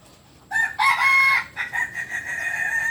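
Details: Kokok Balenggek rooster from Solok, West Sumatra, crowing: a loud harmonic-rich crow in several segments, a long strained middle note, then wavering tiered notes trailing to the end.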